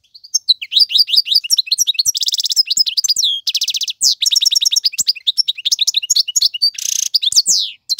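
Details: Bright, fast goldfinch song from a male used to train chicks: tinkling chirps interleaved with several rasping buzzy trills, nearly unbroken for eight seconds.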